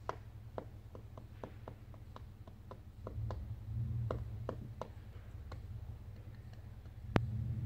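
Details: Pileated woodpecker loudly pecking inside a hole in a tree: sharp, hollow taps at an uneven pace, about three a second, ending with one louder knock over a low background rumble.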